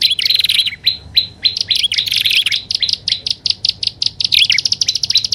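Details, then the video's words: Prinia lure sound: high chirps run first as a fast flurry, then as evenly spaced single notes, then speed up again into a rapid twittering series. "SUARA PIKAT BURUNG PRENJAK ALANG ALANG+PRENJAK ATAS DAN BAWAH"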